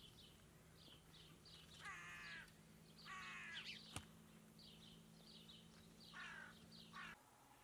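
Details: Rooks flocking to a freshly ploughed field to feed on worms, grain and seeds; several harsh, grating caws of about half a second each, with fainter distant calls and a low background hum.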